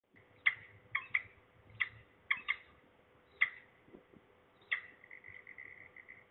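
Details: Falcon calling close by at Trzebież, Poland, on 3 January 2023 around 12:28; sharp, harsh, clipped notes repeated irregularly, some in quick pairs, ending in a brief rapid chatter, over faint low background hum.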